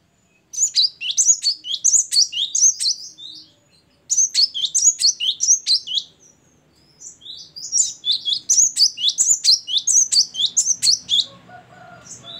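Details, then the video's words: A great tit sings loudly and freely: bright, high phrases of quick repeated notes in three bursts with brief pauses, and a faint low hum near the end. "ngeplong dan gacor burung gelatik batu"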